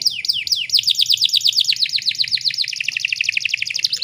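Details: Female canary in breeding condition, used to draw song from males: an unbroken, rapid trill of high descending sweeps repeated many times per second, becoming slightly denser toward the end.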